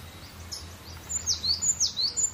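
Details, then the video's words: Cinereous tit giving an easy, vigorous song: faint chirps at first, then loud high whistles dropping sharply in pitch, repeated rapidly in pairs over a quiet low hum. "GELATIK BATU..PLONG BANGET BERKICAUNYA.SUPER SANTAI.GACORR"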